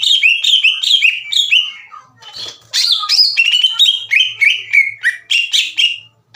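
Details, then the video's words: Green leafbird, a kept songbird, singing a lure song meant to provoke slow-to-heat rival leafbirds into answering: rapid chattering phrases of sharp, downslurred whistled notes, bright and continuous, with a brief pause midway before the fast run resumes. "MASTERAN DAN PANCINGAN CUCAK IJO LAMBAT PANAS UNTUK MEMICU EMOSI LAWAN AGAR GACOR"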